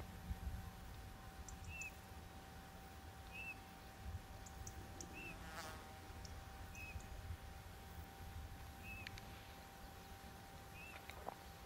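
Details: Soft, piping Eurasian bullfinch (Pyrrhula pyrrhula) whistles, six short falling notes about two seconds apart, recorded in the hottest hours of the day, over a low rumble with faint high ticks from other small birds.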